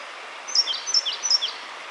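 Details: Male Siberian blue robin (Larvivora cyane) whisper song, given in response to a blue-and-white flycatcher singing overhead: three quick, thin, high two-note phrases, each dropping lower, about every half second, over faint hiss.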